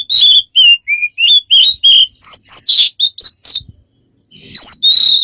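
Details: A bird described as smart and having many strange sounds gives a quick run of varied whistled notes and chirps, some rising and some falling, about three per second, then a short pause before two more loud whistles.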